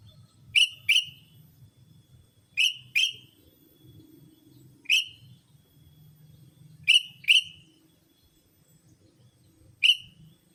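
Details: Sooty-headed bulbul calls meant as a lure for bulbuls: harsh, buzzy chirps mostly in close pairs, repeated every two to three seconds against a soft low hum.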